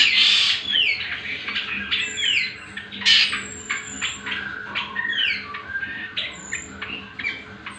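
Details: Greater green leafbird (cucak kombo) song used as a training and trigger recording for other birds: varied loud whistles, downslurred notes and chattering phrases in quick succession, with a thin high whistle repeating in the background.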